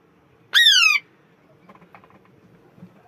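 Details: A single harsh, grating squawk from an Alexandrine parakeet, falling in pitch over roughly half a second, followed by faint low clicks and rustling.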